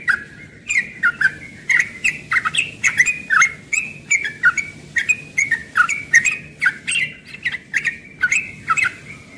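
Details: A young yellow-vented bulbul sings ropel in the morning, a long, lively series of bubbly, downslurred chirps delivered rapidly and evenly, barely pausing, with a faint low hum underneath.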